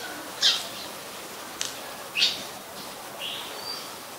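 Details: Oriental magpie-robin, a very common resident, singing in Ubon Ratchathani, Thailand, on 26 December 2020: short bright whistled notes spaced about a second apart, with faint clicks between them.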